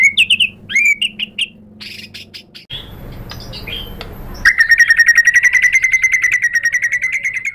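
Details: White-rumped shama song used to provoke a rival: short varied whistled phrases, a stretch of soft background noise, then a long, fast, rattling trill of repeated notes.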